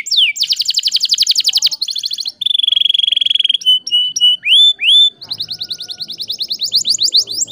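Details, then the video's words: Canary singing to coax quiet canaries back into song: quick high descending trill, a steady buzzing tone, rising whistled notes, then a long rapid rolling trill with faint low background noise. "PANCINGAN KENARI GACOR TERBARU AMPUH ATASI KENARI MACET BUNYI"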